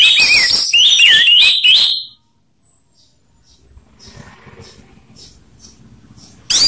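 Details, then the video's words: Rough and slow ngeplong song of an orange-headed thrush, used to prompt birds to sing; about two seconds of loud, rich warbling with looping whistles, then near silence with faint distant notes, ending in one sharp phrase. "Perang Anis Merah Ngeplong/ suara kasar vs suara slow"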